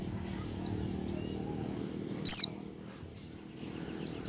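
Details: Oriental white-eye singing in the 'ngecal' style and learning 'ngalas', used as a lure to get other white-eyes to open their beaks and sing; three sharp, very high, quickly falling chirps spaced over four seconds, with a faint low hum beneath.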